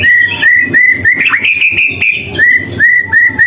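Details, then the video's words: White-rumped shama repeating short upslurred whistles in quick succession, about two to three a second, with a brief dipping note in the middle, loud and clear in gacor style. "burung Murai batu gacor"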